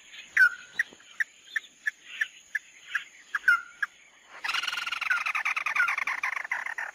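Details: Mắt Đỏ bird singing on a lure track: about ten short sharp notes repeated roughly every third of a second with two downslurred whistles, then a burst of loud rapid rattling chatter; steady high whine underneath.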